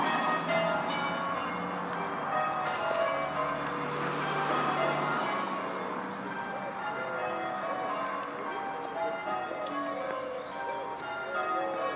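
Church bells pealing in rapid overlapping changes, with no animal voice standing out.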